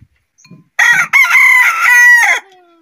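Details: Daytime crow of a rooster: soft clucks lead into a single strong, strained cock-a-doodle-doo of about one and a half seconds, broken into a short first syllable and a long steady drawn-out ending, with no other sounds.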